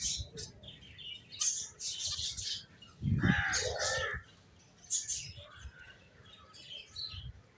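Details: ['Finches chirping: short, bright high chirps in quick bursts, with a louder broadband flutter of wings near the middle.']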